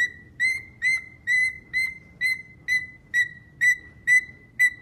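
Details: A cockatiel kept as a pet repeats a short, bright whistled note with a sharp onset, about two times a second, very steady in pitch and rhythm.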